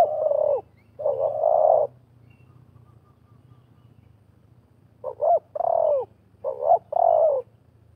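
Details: Spotted doves, wild and decoy, calling against each other in a trapping session. Mellow coo phrases, some with clipped, hiccuping notes, come in two groups separated by a few seconds of low background hum.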